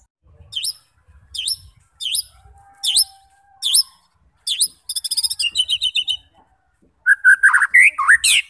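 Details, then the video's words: White-rumped shama song for luring fighter shamas into full singing: five sharp downslurred whistles about a second apart, then a rapid buzzy rattle and a burst of varied warbled phrases. "90% Cocok untuk memancing SEMUA jenis Murai batu FIGHTER, GACOR dan BONGKAR Isian"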